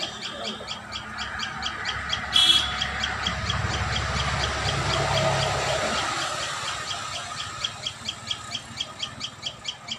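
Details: Common tailorbird at its nest giving sharp, high chirped notes repeated about twice a second, steady throughout; a brief loud rustle and low rumbling noise partly cover the middle section.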